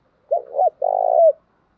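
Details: Female spotted dove decoy cooing, used to provoke males into responding, in the thúc gù and gáy gọi styles: a short two-part mellow coo followed by a longer, pulsing, steady coo that ends in a slight downward slur.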